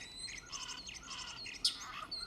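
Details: Common starling male song, which can last up to a minute and attracts a female, opening with an intro whistle carrying species and individual signature: busy, high quick chirps, short whistles and a brief rattling series, with other bird species calling behind.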